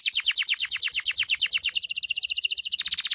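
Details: Loper canary singing vigorously at night, delivering a fast, even run of sharp descending chips repeated about three times a second, high-pitched and continuous throughout.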